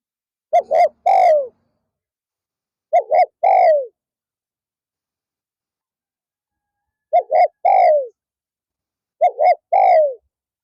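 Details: Four repeated coo phrases from a spotted dove used as a decoy for luring wild doves in the afternoon. Each phrase has two brief hooting notes and one long, sliding, downward coo, separated by short silent gaps.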